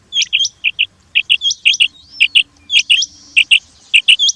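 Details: Common quail calling: short, high, clipped notes in quick pairs and triplets with sharp hooked upswept notes between them, repeated about every half second against a quiet background.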